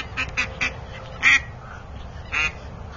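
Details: A female duck, accompanied by a Mottled drake, gives short, nasal, raspy quacks: three quick ones, then two louder single quacks spaced about a second apart, over low background rumble.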